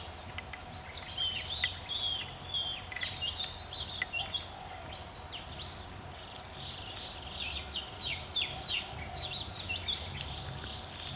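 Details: Singing Oriental Magpie Robin giving its love song in Mahasarakham, Thailand, on 8 February 2014; dense rapid series of high whistled and scratchy notes, varied and fast, with a low background hum throughout.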